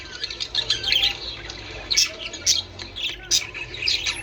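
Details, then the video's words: Budgerigar chatter played to encourage mating: scattered squawks, whistled notes and sharp clicks over quieter twittering, uneven pacing. "من أجل تحفيز طيور البادجي على التزاوج"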